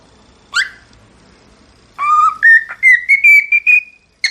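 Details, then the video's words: A single short chirp, a pause, then a cockatiel's whistled song of repeated notes climbing step by step to a steady high whistle, closing with a sharp final note. "شاهد اروع غناء من طيور الكوكتيل خرافي"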